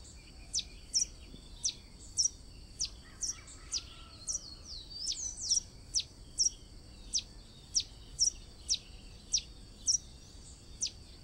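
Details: Sayaca tanager (Thraupis sayaca) song: thin, squeaky high notes repeated about every half second, over a faint steady insect-like hum.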